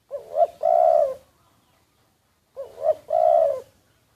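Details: Secretly recorded decoy spotted dove: two matching phrases about 2.5 seconds apart, each a rising looped short note followed by a long husky coo, with silence in between.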